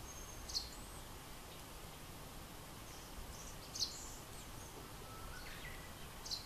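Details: A male russet sparrow guarding its nest hole in woodland at Togakushi, Japan, in May gives three short, high chirps about three seconds apart over a steady outdoor hiss.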